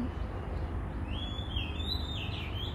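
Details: An Oriental magpie-robin on calm temple grounds in Thailand, in a light breeze, sings a sweet run of slurred whistles rising and falling in pitch over a steady low rumble of background noise.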